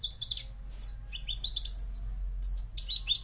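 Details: Moroccan goldfinch in a brief outpouring of high, liquid twitters and slurred whistles, with one short pause; low rumbling hum underneath.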